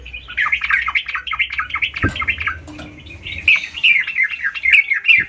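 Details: Sooty-headed bulbul (trucukan) pouring out quick, wavering warbled notes that rise and fall, a short lull with a single thump, then clearer looping whistled phrases.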